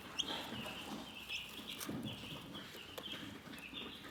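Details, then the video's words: Calm chickens give continuous soft, high chirps that run almost without pause, some notes gently rising, over a low background of rustling and faint scuffing. "Chicken Relaxing Soothing Chirping Sounds"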